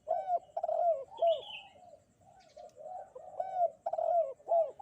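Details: Spotted dove on a bright morning, cooing in bursts of short, deep, arched notes with a brief lull in the middle. A faint higher whistle from another bird is heard once.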